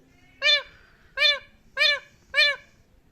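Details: A pet Indian ringneck parakeet, described as getting angry, imitates a cat with four short, nasal, rise-and-fall meows, one about every two-thirds of a second, in a quiet room.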